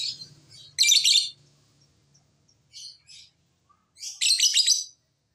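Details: Lovebird calling on a lure recording meant to set other lovebirds singing back: sharp, scratchy high chatter in a loud burst, a short softer phrase, then another long rasping burst.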